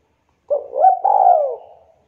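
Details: A local Javanese spotted dove, a lively singer whose clear, crisp voice is meant to stir idle doves into calling: a single phrase of quick rising coos leading into a drawn-out, hollow, slowly descending note, with nothing else heard.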